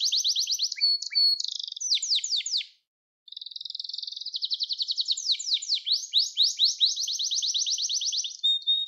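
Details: Song training recording of a canary: high rolling trills and quick sweeping notes, a short silence, then a dense buzzy trill that turns into fast, repeated downward-sliding notes.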